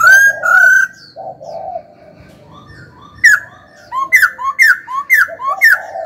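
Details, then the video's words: Caged laughingthrush kept as a songbird, in a stimulating song session. Loud, clear whistled phrases open, then a run of downslurred whistles repeats about twice a second, with softer warbled notes underneath. "Khướu hót cực hay, kích bổi hót ngay"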